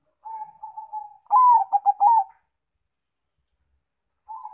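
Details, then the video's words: Lure song of zebra doves, Bangkok and local types: a quiet bubbling trill leads into a loud coo, several rapid stuttering notes and a sustained final coo. A soft trill begins again at the very end. "Pancingan Perkutut bangkok dan Lokal"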